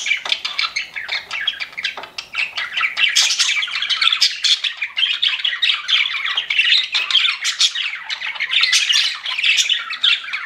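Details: Pet budgerigars chatter nonstop in a dense, scratchy warble of high chirps, squeaks and buzzy squawks, several birds overlapping without pause.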